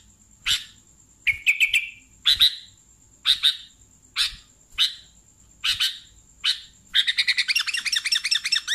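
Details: Sooty-headed bulbul giving spaced sharp chirps and one slurred note, then breaking into a fast, scratchy run of repeated notes at the end; faint high steady whine in the background.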